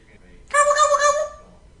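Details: A female pet African grey parrot in Texas, a talkative mimic, gives one rich, wavering gobble copied from a turkey, lasting under a second, with a faint hiss of room noise around it.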